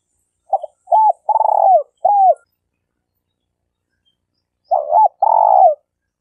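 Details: Spotted dove (tekukur) kept as a denak lure bird for trapping, Malaysia: a soft stuttered note, arched coo, long burred coo and falling coo, then a pause and the phrase begins again.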